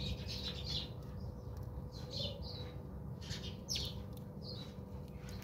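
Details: While bathing at a South African home, house sparrows utter scattered sharp chirps and brief squeaky notes, spaced unevenly, with a faint electrical hum beneath.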